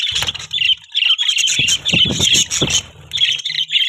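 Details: Budgerigars chirping: dense, continuous warbling chatter of rapid high chirps and squawky notes, several birds calling over one another without pause, with a few low thumps and rustles underneath.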